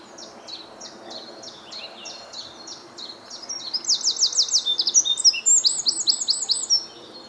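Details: Eurasian wren singing with visible breath on a chilly morning in Reading, UK, 9 April 2022: a run of high, evenly spaced thin notes gives way to a loud, very rapid trilled burst lasting about three seconds.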